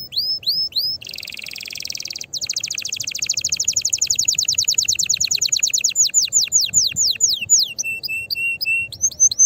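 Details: Canary song used to stimulate singing and courtship: a few rising notes, a dense buzzy trill, then a long run of sweeping notes that slow into descending slurs and a brief chirping phrase.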